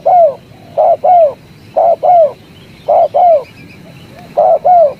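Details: Spotted dove cooing in loud paired notes, two falling coos close together, repeated roughly once a second over five seconds with short quiet gaps between pairs.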